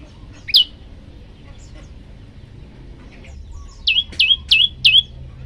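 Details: A calling male olive-backed tailorbird gives a single sharp falling chirp, then after a long quiet stretch a tight run of four clear downslurred notes, with soft background twittering.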